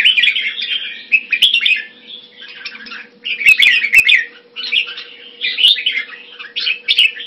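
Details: Red-whiskered bulbul in a cage in Singapore, kept in Thai fashion, delivering bubbly, slurred whistled phrases roughly every second, with a few sharp ticks and a faint constant hum behind.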